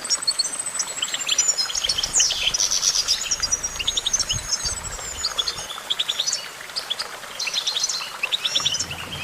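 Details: Goldfinch pouring out a busy twittering song. A high sustained whistle runs through the first half beneath quick chirps and buzzy notes, with short pauses later.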